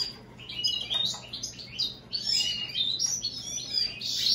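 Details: American goldfinch x European greenfinch hybrid giving a lively, unbroken high twitter of quick chirps and slurred notes, growing louder toward the end, with a soft continuous low hum.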